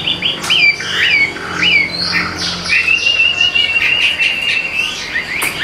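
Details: Captive Hwamei from Vietnam giving bright looping whistles, then holding one long, steady, slightly wavering whistled note for well over a second before breaking into quick high flourishes.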